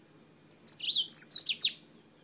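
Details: Yellow-fronted canary from Spain, singing: one short, high phrase of warbled, wavering notes that rise and fall, ending in a few sharp downward-slurred chips, against a quiet background.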